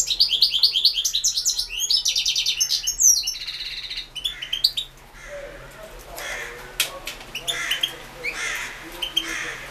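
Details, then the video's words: Caged European goldfinch singing for a 2016 internet goldfinch song championship: rapid, bright twittering trills and buzzy notes for about four seconds, then looser, scattered chirps and faint rustling. "World championship in Goldfinch Song"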